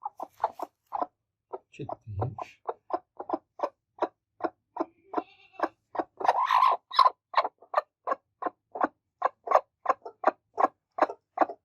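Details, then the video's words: Angry broody hens, a pair, attacking. They give a steady stream of short, low clucks about three per second, with a brief low rumble early and a loud noisy squawk midway. "Very Angry Two Broody Hens Attacks| Broody Hen Behavior| Broody Chicken Sound Effect"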